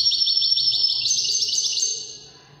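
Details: Moroccan Wedani trilling by a European goldfinch, fast pulsed high notes rolling together, lifting in pitch partway through before the phrase fades away.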